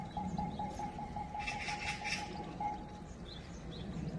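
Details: Oriental magpie on the Gaeungsan trail, 10 February 2021: a short burst of harsh, rasping chatter notes midway, over a steady thin hum and low rumbling background noise.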